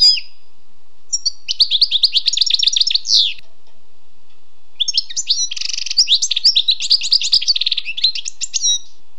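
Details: Bright, rapid twittering from a wild European goldfinch: a first phrase of liquid chirps, a pause, then a longer burst with a harsh buzzy stretch and tinkling notes.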